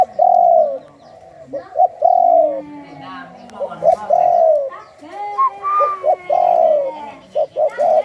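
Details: Spotted dove of the Thai 'khu ang' singing line in captivity, giving rounded low coos. Pairs of short hoots are followed by a sustained coo, over and over, with one higher slurred note. A faint second dove coos in the background.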